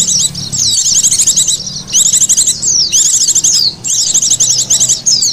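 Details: Oriental white-eye lure call used to attract birds: rapid high twittering bursts of thin downslurred notes, each burst about a second long, repeated with brief pauses; no other sounds clear.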